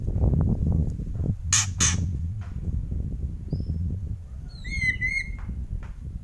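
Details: White-rumped shama uttering two quick harsh rasping bursts of kretekan, followed by a clear whistled phrase of repeated level notes, over steady low rumbling background noise.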